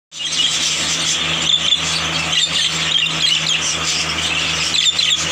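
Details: A crowd of yellow budgerigars at a market in Multan, Pakistan, chatters without pause, a dense high warbling and chirping with a low hum beneath; 2020.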